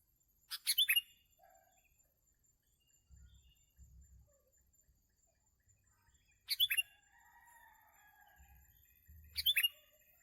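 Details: Sooty-headed bulbul heard while birds were being trapped: three brief clusters of high, scratchy chirps come roughly every three seconds, with soft low knocks between them.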